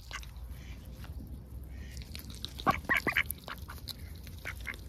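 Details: A duck close by on an overcast day bursts into a short cluster of four or five harsh quacks in about half a second, amid scattered softer calls and low background hum.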